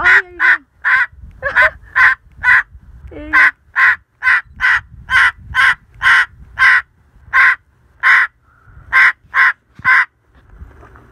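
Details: A pet cockatoo barking at a dog, copying a dog's bark: harsh, raspy, bark-like calls given in a fast, uneven series of roughly two per second for about eleven seconds, over a quiet background.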